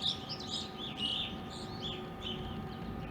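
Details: Evening grosbeaks in an Ohio backyard during winter and spring, present since winter 2020 and still there in April 2021; a cluster of overlapping slurred chirps and clear whistled notes, loudest at the start, over constant low background hum.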